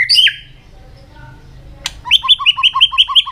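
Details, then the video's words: Training song for the white-rumped shama to sing fast and intensely in many voices: a short descending whistle, a quiet pause and a click, then a fast series of paired high and low notes. "luyện chòe hót nhiều giọng.kích chòe lửa hót nhanh căng"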